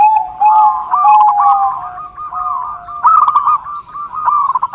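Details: Zebra dove (perkutut) song for training and luring birds, overlapping rolling coos with long level notes, possibly more than one bird.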